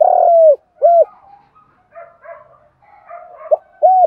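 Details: Spotted dove decoy giving its morning call to draw in other doves: a long falling coo, a short rounded coo, soft murmured notes, then two more brief coos near the end.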